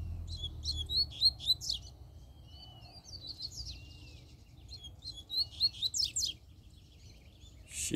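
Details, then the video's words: Free-living double-collared seedeater singing two bursts of quick, high twittering notes, sharp rising and falling slurs packed together, with a quieter pause of thin notes between them and a thump at the end. "COLEIRO SOLTO FORTE CHEGOU PICANDO CANTO!!!"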